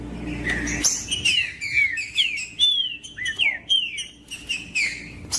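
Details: Female green-winged saltator call used to make cold, reluctant males sing: a run of clear, slurred whistled notes, many dropping in pitch, given in quick irregular succession. A second bird's higher notes may be mixed in. Background is quiet.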